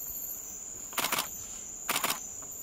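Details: A female twelve-wired bird-of-paradise in Indonesia gives two harsh, rasping bursts about a second apart, over the steady high whine of insects.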